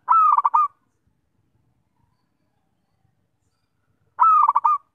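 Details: Melodious zebra dove song used to lure birds: two short cooing phrases about four seconds apart, each a drawn opening note and then a rapid run of four clipped, pulsing coos, with quiet between.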